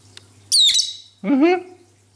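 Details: Cobalt pet lovebird chatting with its owner indoors: a shrill, high squawk followed by a lower, wavering, voice-like warble, over a faint hum.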